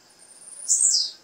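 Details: Single call of a female blue-black grassquit, used to urge a male to sing: a thin, high, slightly buzzy note that swells and slides downward, lasting about half a second.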